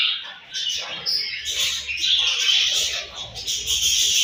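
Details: Several budgies chirping during their morning feed: continuous high twittering and warbled squeaks layered thickly, with no pause across the short stretch.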